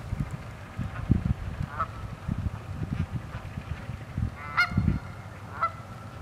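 Cackling geese give a few short, high, yelping honks with a nasal ring, spaced a second or so apart, over a steady low rumble.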